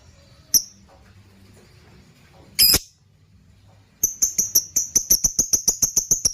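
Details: Lovebird lure call for training other birds, ngekekekeke: two isolated sharp high chirps, a brief harsh burst, then after a pause a fast, steady run of about a dozen shrill chirps, several per second.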